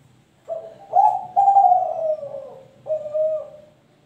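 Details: A young spotted dove, three months and 25 days old, caged, coos in a phrase of low mellow notes: a short note, two longer swelling coos sliding downward, a pause, then a final falling coo.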